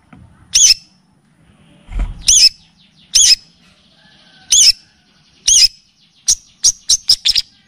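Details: {'caption': 'Long-tailed shrike (cendet), a lure and tutoring recording with kapas tembak and cililin styles: spaced, very high piercing chirps about once a second, ending in a fast run of thin ticking notes, with a faint low thump.'}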